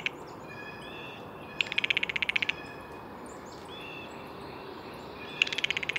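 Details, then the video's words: Blue jay calls: two bursts of rapid, harsh pulses, each lasting under a second and spaced several seconds apart, with faint whistled notes from other birds in the background. "Blue Jay Bird Calls"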